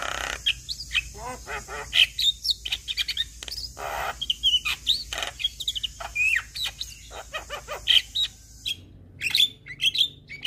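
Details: Javan myna, white-eyed form, in lively tutoring chatter for youngsters: dense strings of sharp chirps, rising whistles and scratchy notes packed together, with a faint constant hiss behind.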